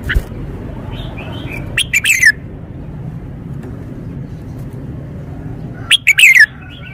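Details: A caged red-whiskered bulbul delivers two loud, clear whistled phrases about four seconds apart, each a burst of rapid notes ending in a downward slur, with soft warbling notes before the first phrase and steady low background noise.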